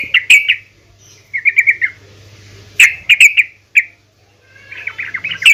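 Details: Short bursts of chattering from a female yellow-vented bulbul calling to make other bulbuls sing, groups of three or four quick notes separated by silent gaps, ending in a warbled chatter.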